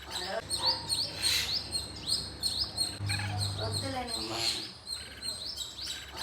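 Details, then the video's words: Pet birds chirping indoors, quick rising high chirps in a busy stream mixed with a short burst of murmured voice-like sound and a low hum. "Birds chirping"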